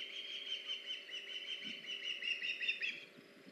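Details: Wild ospreys at a camera-watched nest on August 21, 2019, the male delivering a fish to the female: a run of high, slurred chirps blurring together, faint low knocks beneath, steady hiss throughout.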